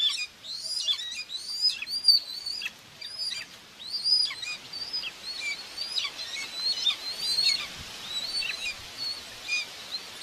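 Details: At a common buzzard nest in Tiszalök, Hungary, on June 2, 2024, the mother feeds two chicks: a dense, continuous run of high, thin, bending whistled calls that overlap one another, recorded by a nest camera.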